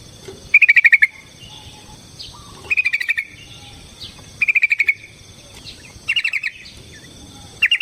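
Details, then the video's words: Yellow-vented bulbul (trucukan) giving a lively 'tarung ropel panjang' fighting-style song, used as a lure to rouse other birds; short bursts of about seven rapid chattering notes, repeated roughly every two seconds over a steady high background hum. "Suara Burung TRUCUKAN gacor TARUNG ROPEL PANJANG pancingan trucukan agar JADI trucuk gacor EMOSI"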